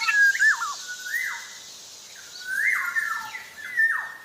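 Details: A black-naped oriole of Java singing actively, giving clear flute-like whistles that swell and sweep downward, grouped in quick linked runs separated by a short quiet stretch.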